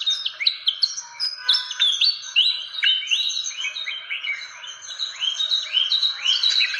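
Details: A fantail, used as a lure call, gives dense, squeaky whistled notes, many sharply rising or falling, in quick overlapping runs of about two a second, with no other sounds standing out.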